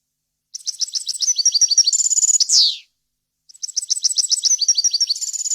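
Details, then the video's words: European goldfinch in full varied song, a tutoring recording for young birds: a fast run of liquid high chirps rising into a sustained trill and a sharp buzzy slur, then after a pause the twittering resumes. "غناء طائر الحسون ، صوت صافي وخالي من الاخطاء لتسميع الفراخ"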